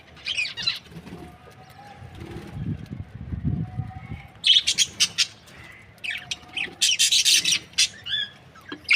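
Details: Budgies, a happy Australian breeding pair, produce a few faint chirps, then a low rumbling background, followed by bursts of loud, sharp, squeaky chatter in the second half.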